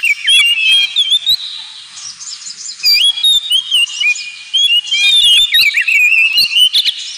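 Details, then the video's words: A captive Oriental magpie-robin sings a rich, nonstop run of varied whistles, slurred trills and sweet rising and falling notes, played as a training track to make pet birds sing more. "KACER NGEMPLONG"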